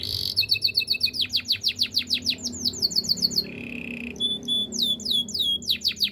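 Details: Canary training song: fast trains of high, downswept chipping notes in rolling tours, a short steady lower buzzing tone midway, then sharper whistled sweeps repeated several times a second over a faint low hum.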